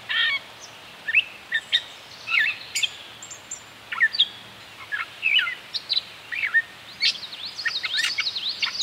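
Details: Gray Catbird quiet song, sung with the beak closed or slightly open, as used in courtship, near the nest, and in fall and winter: a soft, rambling, jumbled run of squeaky notes, chirps and brief whistles in quick irregular bursts.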